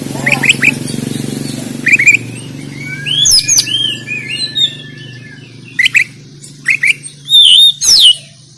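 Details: Oriental magpie-robin fighting song ('kacer tarung') from Banten, phone-recorded: scattered sharp chips, a long thin steady whistle and bright slurred notes, ending with loud emphatic bursts over a low background hum.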